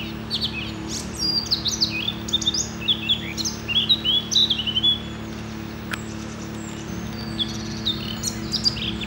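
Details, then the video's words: Eurasian blackcap in Denmark delivering a hurried, varied warble of twittering and fluted notes in loose bursts, somewhat distant, over a steady low hum and a single sharp click midway. "Munk - sådan synger danske fugle"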